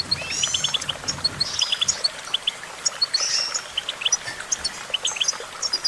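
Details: Goldfinch song of rapid liquid twitters, with pairs and triplets of sharp high notes interspersed with short buzzy rattles, steady and unbroken over a soft outdoor background.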